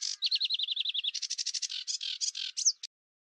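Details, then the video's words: A sedge warbler singing in reeds, a restless, jazzy song that can last for hours: a run of about ten quick repeated ticks, then harsh buzzy churrs ending in a brief whistled slur. "Zanger in het riet"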